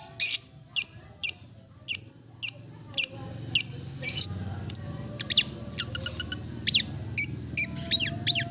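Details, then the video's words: Long-tailed shrike (cendet) delivering sharp high notes repeated about every half second, then switching to quick clicking trills and slurred whistles in a melodious song. "the melodious sound of the cendet bird"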